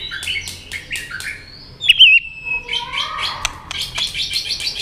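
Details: White-rumped shama being stimulated to fight-sing: a loud wavering whistle in the middle, surrounded by quieter, scratchy warbled chatter.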